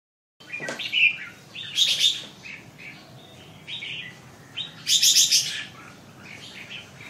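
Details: Red-whiskered bulbul singing: short bright warbled phrases with loud clustered high notes near one and five seconds, softer chirps between, faint background hiss.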